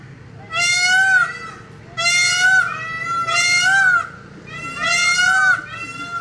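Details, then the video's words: Peacock giving three loud, drawn-out wailing calls, each rich in harmonics with a slight upward bend, spaced about one and a half seconds apart, with faint background hum between them. "Peacock Call ~ PEACOCK Sounds | Peacock calls & peacock sounds"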